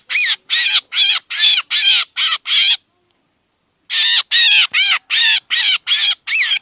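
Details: Trapping lure recording of a black drongo: two bursts of rough, scratchy squawks at roughly three per second, split by a one-second silence. Some notes carry a clear arching tone inside the rasp.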